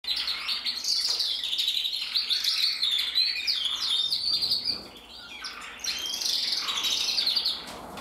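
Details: Red-black intensive male canary from 2024, split-colour in mosaic, singing a continuous high twittering song of rapid trills and chirps, with a brief dip in loudness near the five-second mark.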